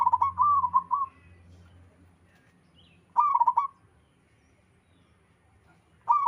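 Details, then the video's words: Local Zebra Dove from the wild, with others joining in: an opening string of rolling coos lasting a second, a second stuttered phrase at three seconds, and a third beginning at the end. Low rumble in the background. "Suara burung perkutut lokal alam gacor sekali putar lainnya ikut nyahut"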